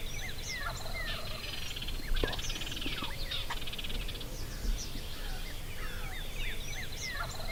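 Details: Wary longbeard tom of the wild turkey in Nebraska, stalked with no calls or decoys, gives a fast throaty rattle of about a second just past the two-second mark, over a chorus of short whistled songbird notes and low background rumble.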